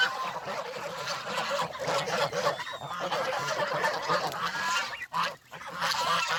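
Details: A flock of domestic geese on a countryside farm, heading out from the pen toward fresh vegetables and water, calls steadily with many overlapping harsh honks, briefly dropping quieter near the end.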